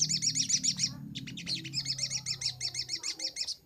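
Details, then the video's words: Vigorous crimson sunbird song, recorded as a master for training birds: repeated very high, rapid trilled phrases of quick upslurred notes, about four per second, pausing briefly, over a low hum in the first part. "Masteran sogok ontong paling ampuh - sogon gacor nembak"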